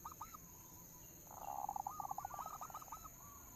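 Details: Lure song of a local zebra dove, used to prompt singing: faint curled coos open, then a buzzy rush of rapid beaded notes and a chain of hooked coos, over steady background hiss.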